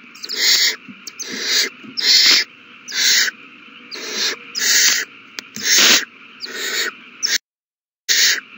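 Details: Owl babies feeding on 27 March 2020, uttering a rapid series of about ten short harsh hisses, some overlapping, with a brief dead-silent gap near the end.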